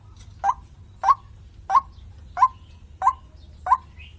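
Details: White-breasted waterhen call from a bird-luring recording: a mid-pitched, upward-hooked note repeated six times at roughly two-thirds of a second apart, steady and monotonous over a low hum.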